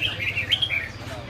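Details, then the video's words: Red-whiskered bulbul giving a short clear whistled phrase: a few fluty notes, a sharp upward flick in the middle, then a falling slurred ending, with a low background hum. "Chim chào mào hay"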